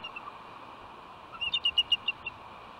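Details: Wild female bald eagle flying in and calling before hopping to her nest rock on Catalina Island, California, on Thanksgiving Day: a short burst of about eight thin, high chirping notes over steady background hiss.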